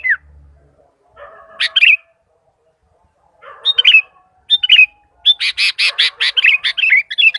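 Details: Sooty-headed bulbul in lively form, calling to other bulbuls: short bubbly chirps and slurred whistled notes, sparse at first, then a fast run of sharp repeated chirps over the last two and a half seconds, with a faint low hum underneath.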